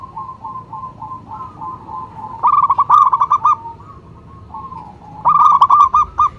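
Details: Zebra dove (local perkutut) lure call: softer rolling coos at first, then two loud, rapid, stuttered coo bursts with trilled endings, other doves cooing faintly throughout.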